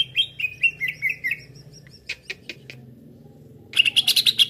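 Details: Cucak ijo calls used as a lure for trapping: a run of about seven loud, descending slurred notes, each dropping in pitch, then scattered sharp clicks and a final burst of bright, harsh chattering notes.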